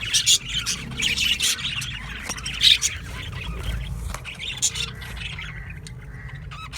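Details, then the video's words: Caged budgerigars in a colony aviary chattering together, busy overlapping chirps and squawks, louder bursts near the start and middle, then softer steady warbling with faint low background rumble. "Budgies Chirping sounds"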